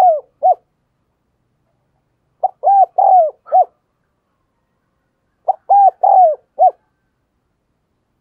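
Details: Spotted dove acting as a decoy, cooing so other doves start calling; clean loud phrases of four arched hollow coos, the third drawn out, repeated about every three seconds with silence between.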